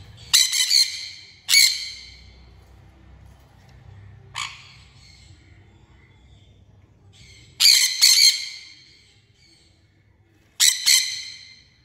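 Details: Sun conure screeching in loud, rasping bursts. A quick pair opens the sequence, then single calls follow after long quiet gaps. Near the end comes a clustered double and a final harsh screech, with low hum in the background.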